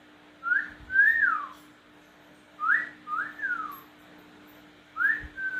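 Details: Pet cockatiel kept at home, whistling in exchange with its owner: pairs of clear, rising-then-falling whistles, the second of each pair longer and sliding down, repeated about every two seconds in a quiet room with a faint steady hum.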